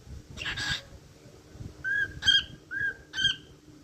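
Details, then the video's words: Cockatiel whistling a short tune: clear whistled notes with a level then slightly rising shape, a few separated phrases after a brief harsher burst at the start. "Cookie cookie #cookiesong"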